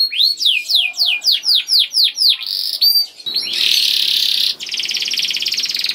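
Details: Young canary song, played to get other canaries singing: clear descending whistled sweeps, about three per second, followed by two buzzy rolling trills.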